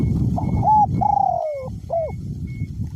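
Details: Spotted dove, a caged decoy bird with a small-to-medium voice, cooing through strong wind: short notes, a long drawn coo sliding downward, then a curved closing note, nearly buried in heavy low wind noise.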